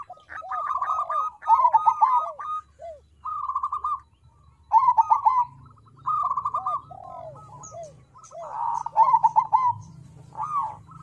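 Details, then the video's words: Crossbred zebra dove, known locally as perkutut krosing, singing as a lure to prompt birds to sing: a sequence of rolling, rapidly pulsed coo phrases about every two seconds, with overlapping voices and a low background drone. "Suara Perkutut Krosing Untuk Pancingan Agar Mau Bunyi"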